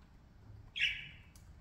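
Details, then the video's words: A playing parakeet gives one clear, scratchy squawk that slides slightly and fades over under a second, followed by a faint tick, in a quiet room. "parakeets 6 minutes playing, talking, singing"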